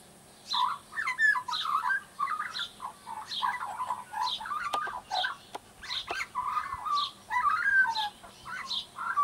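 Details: Young Australian magpie practising its song: rich, warbling phrases of mixed gurgles and whistles, delivered in bursts about every half second against a faint steady background hum.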